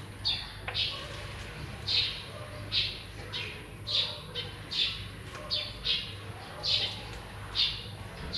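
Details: Captive zebra finch chicks, recently hatched and newly fledged, being fed by their parents in a cage, give short, harsh, nasal calls that rise and fall, repeated roughly every second, over a low steady hum.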